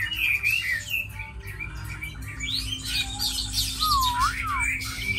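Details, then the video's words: Caged, tame Chinese hwamei singing a jumble of bright chirps and whistles, ending in a few clear, looping, lower-pitched slurred notes, over a steady low background hum. "Mi thuần đấu tốt hót hay"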